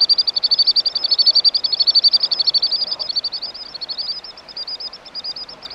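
A Common Sandpiper gives a long, rapid run of thin, high piping notes, several per second, that loosens and fades toward the end over faint background hiss.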